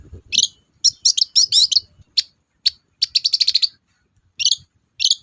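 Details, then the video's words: Long-tailed shrike in active lure song for unwilling shrikes: clusters of quick high chittering notes, a fast rattling burst of repeated ticks, and short isolated squeaky calls between brief silences. "BURUNG CENDET GACOR DORR, BIANGNYA PANCINGAN CENDET LOYO"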